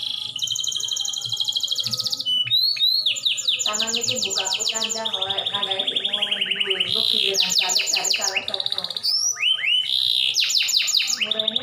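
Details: Canary song used to make caged canaries sing: nonstop high trills, rolls and rising whistled sweeps, with a faint low hum underneath.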